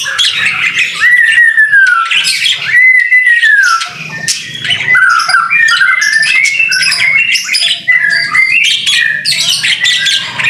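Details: White-rumped shama singing hard in the rain for masteran training: two long, clear, slurred whistles arching down, followed by a busy stream of chirps, trills and squeaky notes, with a faint low background hum.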